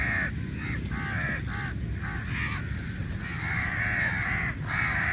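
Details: Many crows squabbling over meat at a feeding, harsh nasal caws overlapping in a dense chorus, some drawn out and level, others short and arched, with constant low background rumble.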